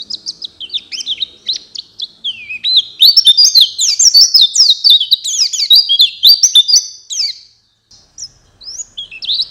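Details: White-eye lure song meant for night and morning, a bright, high twittering warble of quick rising and falling slurred notes, fast and continuous, with a brief pause near the end before more chirps.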